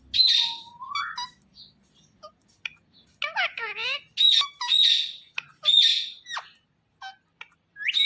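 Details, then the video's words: Indian ringneck parakeet giving harsh screeching squawks and a rising whistled note, with a burst of quick chattering notes and short gaps between calls. "Ringneck Parrot Natural Sounds"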